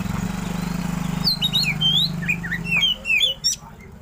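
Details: Oriental magpie-robin (kacer), a caged songbird, giving a rich run of whistled and slurred notes at varied pitches, with steady engine-like hum underneath at the start.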